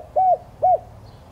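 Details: Spotted dove lure cooing, aimed at stimulating decoy doves. Two separate hollow, arched coos about half a second apart, steady in pitch, over a quiet low hum.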